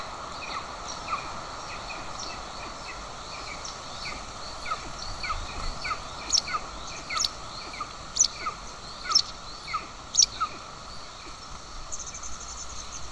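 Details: Golden eagle nest in Estonia, 20 June 2024, where the mother feeds an aggressive chick and the father arrives with a bird; soft chirps repeat steadily, then several sharper, higher clicks or chips join midway over hiss.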